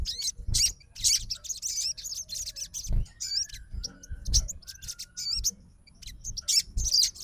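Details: Sogon (Crimson Sunbird) fighter bird, provoked by another sogon's song, giving scattered sharp high chirps and short twisting whistles, uneven in timing, with soft low background rumble.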